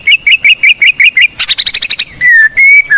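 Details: Blorok-type white-rumped shama singing to train other birds: evenly spaced whistled notes, a quick burst of high chips, then long drawn whistles.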